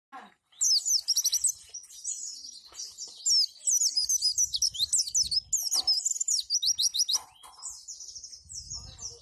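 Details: White-eye song in the roll tembak and wituwit styles, a master recording for teaching caged white-eyes to imitate: very high, rapid chattering trills of twittering notes, with fast, almost unbroken bursts and a few soft low thumps.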